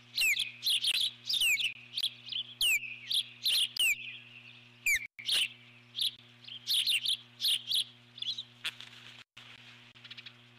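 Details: Nest-bound eagle sounding its alert call while a large intruder flies by, July 2014: a fast, excited run of high chittering notes and falling squeals, easing into softer calls near the end, over a low hum.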